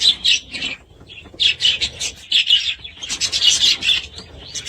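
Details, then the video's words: Budgerigars in a bout of scratchy, buzzy chatter: short rasping bursts come in quick clusters, with brief pauses between groups and a tiny chirp near the middle. "Budgies sound"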